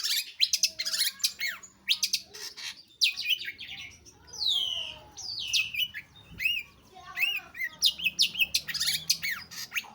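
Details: Long-tailed shrike (pentet/cendet) singing vigorously: a rapid, varied jumble of harsh scratchy chirps, sharp clicks and short whistled slurs, some rising and some falling, delivered in dense bursts with brief pauses between them.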